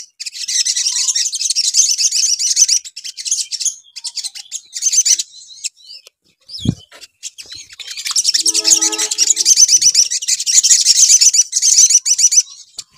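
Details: Crimson sunbird lure song: long runs of shrill, rapidly repeated twittering notes, a quiet gap with a brief low knock around six seconds, then another sustained high chattering burst over brief lower tonal notes.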